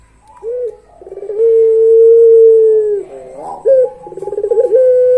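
A Barbary dove gives a rolling, rattled opening that swells into a long, steady low coo held nearly two seconds, then another rattle and a sustained coo.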